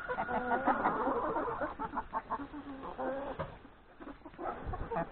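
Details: At breakfast in the yard before grazing in the forest, a flock of hens and three roosters makes a dense jumble of soft clucks and short tonal notes repeated about three times a second.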